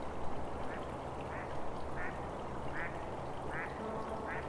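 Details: Trumpeter swan at Upper Crescent Slough in the Squamish River Estuary; short nasal calls repeat roughly every 0.7 seconds, faint over a steady low rumbling background.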